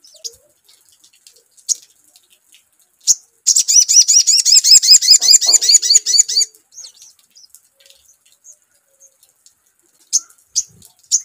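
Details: Crimson sunbird (sogon) singing in response to a lure recording: scattered high thin chirps, then a rapid three-second burst of sharp, hooked, high-pitched notes, followed by more sparse chirps.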